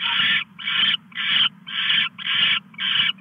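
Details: Owl on a live nest camera at 2:34 AM on August 22, 2015, as the male brings a mouse to the female. Harsh, hissing bursts repeat rapidly, about two per second, over a steady low electrical hum.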